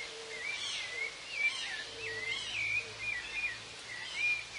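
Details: In Argentina, a rufous-bellied thrush sings a continuous run of clear, warbled phrases that rise and fall, over faint hiss. A chimango caracara is also heard in the recording.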